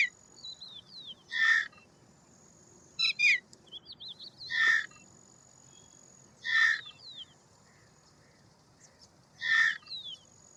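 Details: Indian roller (Coracias benghalensis), called Paala-pitta or Milk bird, repeating loud grating, rasping calls: five separate bursts about one and a half to three seconds apart. Faint descending whistles from other birds sound between them.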